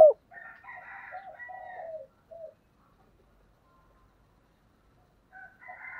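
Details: Spotted dove of the 'giọng thổ' voice type: low wavering coos mixed with higher tonal notes for about two seconds, a short final coo, a long silence, then cooing starts again.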